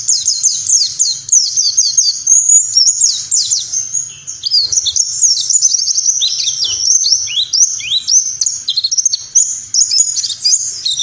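Warbling white-eye pouring out a long, rapid, high-pitched twittering song of thin slurred notes and chirps, running without pause for the whole stretch.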